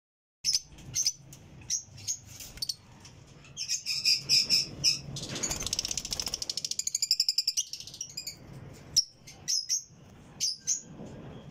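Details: Parblue split ino lovebirds giving sharp, high, squeaky chirps in scattered bursts, with a fast rattling run of calls in the middle, over steady low background hum and rustling.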